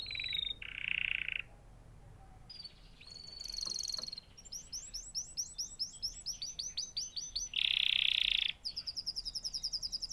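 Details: Canary song mixing harsh buzzy bursts, rolling trills of rapid notes and a loud sustained rasping phrase, then a quick high trill at the end.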